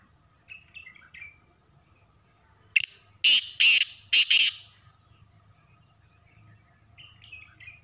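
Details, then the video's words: Black francolin calling: a short sharp note trailing a thin high whistle, then four loud, harsh, grating bursts in rapid series over about two seconds; faint distant chirps before and after, low rumble underneath. "kaly tetar ke awaz | Kaly titar ki awaz"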